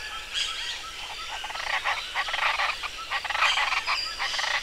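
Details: West Mexican Chachalacas (Ortalis poliocephala) in the Vallarta Botanical Garden, Jalisco, Mexico, give harsh, raucous, overlapping calls in a loud, grating chorus of rapid repeated notes that carries on without a break.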